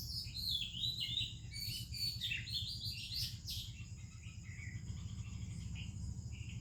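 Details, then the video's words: Oriental magpie-robin singing in the morning alongside other birds: a fast, rich tumble of whistled and chirping notes, fading to sparse softer phrases, over a steady low rumbling background. "30 Minutes a ROBIN Chirping in the Morning"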